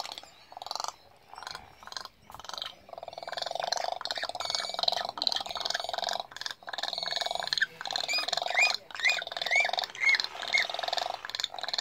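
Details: Swallow-tailed gulls on Isla Genovesa, Galápagos, Ecuador, on 20 April 2019, give a dense, harsh, rattling chatter, about two bursts a second, with a few short rising whistles near the end.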